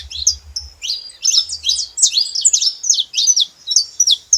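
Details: Saffron finch song: a brief pause, then a busy run of high, twisting chirps and short whistles, fairly loud and clear.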